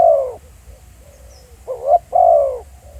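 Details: Spotted dove calling in the field. The recording opens with the end of a drawn-out falling coo. After a pause come a short upward note and a longer, mellow descending coo.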